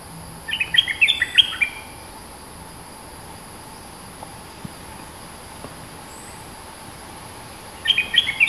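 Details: A dominant local bulbul sings in lively phrases of rapid, warbled whistles that rise and fall. One phrase runs for about a second, and another begins near the end after a long gap with a faint constant hum.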